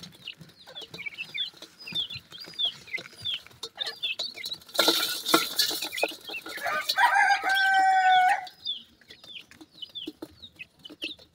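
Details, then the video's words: Baby Sindhi partridge chicks in a field in Pakistan give high, thin peeps that slur downward, repeated rapidly about four times a second, broken midway by a loud rustle and a harsh, drawn-out tonal cry. "the melodious voice of a baby sindhi partridge,chicks birds teetar"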